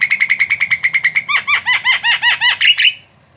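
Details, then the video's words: Jalak, a starling or myna, singing a fast run of about fifteen clear repeated chirps, then a series of louder down-slurred whistled notes with rich overtones, all at a brisk steady rhythm. "Suara burung Jalak"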